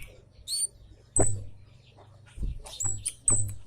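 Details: A few sharp, very high, thin chips from a scarlet-headed flowerpecker lure recording, spaced about a second apart, each paired with a soft low thump.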